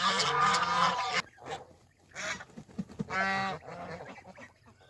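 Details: Farm geese let out of their pen to feed and bathe give two loud bursts of harsh, nasal honks, the first lasting about a second and the second shorter, with quieter gaps and faint background noise between them.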